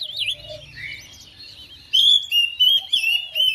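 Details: Oriental magpie-robin kept at home, replying to another bird: soft warbling and a faint low hum at first, then loud clear whistled phrases, steady and ringing, in quick bursts.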